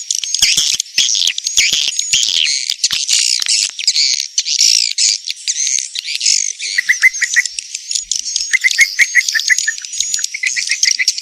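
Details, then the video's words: Kalimantan edible-nest swiftlet lure for swiftlet farming: busy chorus of high buzzy chirps and clicks, later joined by quick series of lower downslurred tweets. "Sp TERBARU BURUNG WALET TERGACOR 2026"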